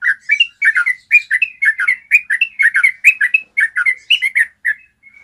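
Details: Long clear trill (ropel panjang) of a yellow-vented bulbul, played to train other bulbuls to sing: a steady stream of chortling, slurred notes in quick bursts, with a few soft notes fading at the end; no other sounds.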